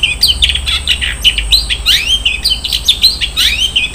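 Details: Long-tailed shrike in full 'isian mewah' song: a busy stream of chattering high notes mixed with rising swept whistles, delivered without pause over a low background hum.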